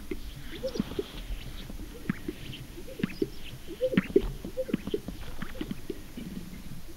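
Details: Greater sage-grouse booming on a lek in Oregon, USA, giving low, hollow pops and bubbly gurgles, overlapping and irregular every second or so, over a faint steady hiss.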